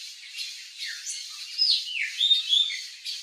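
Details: Wild Turquoise-fronted Parrot in natural habitat in Brazil, giving harsh, squawking, rising and falling calls in quick irregular bursts.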